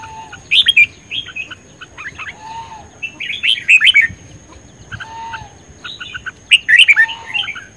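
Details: Red-whiskered bulbul singing in fired-up dueling style: clusters of sharp, bright, bubbling whistled notes at irregular intervals, interleaved with a quieter, lower slurred whistle.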